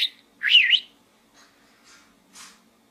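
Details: Budgerigar in a small gourd gives one bright, twisting warbled chirp, followed by a few faint, soft scratchy notes.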